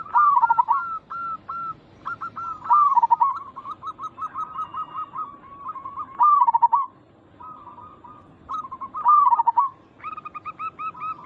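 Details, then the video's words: Zebra dove cooing for luring others to answer: several loud, bubbling rolled coo phrases with short note runs between them, more than one bird overlapping. "Perkutut lokal gacor Suara ini membuat Burung Perkutut langsung Nyaut cepat respon"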